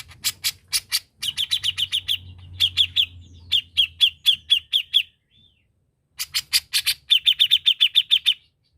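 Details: Grey-cheeked bulbul (cucak jenggot) in vigorous, gacor-style singing: bursts of sharp, rapid, even-paced notes in several runs, broken by short pauses and a few harsher broadband clicks.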